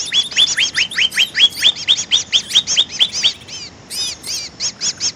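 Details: Greater green leafbird (cucak ijo), presented as a lure call, gives a fast run of about twenty bright, arched chirps in three seconds, then a pause and higher, squeakier notes.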